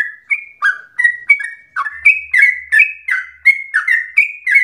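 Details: Singing yellow-vented bulbul, played as a lure so other bulbuls sing continuously and rapidly. About a dozen fluty, falling chirps run in quick succession, with a faint low hum in the background.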